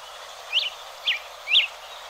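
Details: A hepatic tanager in the Bosque de los Constituyentes, Rosario, Argentina, gives three short, sharp chip notes about half a second apart, high and clear over a steady background hiss.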